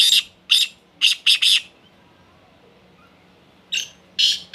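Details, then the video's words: Female black francolin calling: harsh, scratchy high notes in short bursts, a run of five over about one and a half seconds, then a pause and two more. "کالے تیتر کی مادا بولتے ہوئے - kala teetar ki awaz made"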